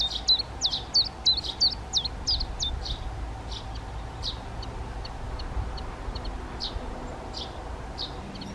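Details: Black redstart (Phoenicurus ochruros), a darker male and paler female feeding fledged young out of the nest, giving thin, high whistled calls with a quick downward hook, about three per second, clear then fainter, over a low steady hum.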